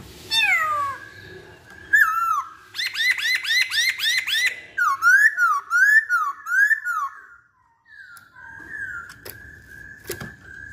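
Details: Masked laughingthrush (poksay Hongkong) in varied song: falling slurred whistles, a rapid series of arched harmonic notes, a run of bouncing swooped whistles, then softer level notes with a few sharp clicks.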